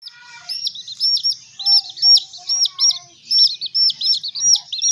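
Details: Several baby hen chicks being raised give shrill, arched peeps, many overlapping and repeated rapidly in uneven bursts, with a few softer lower chirps early on; no other sounds.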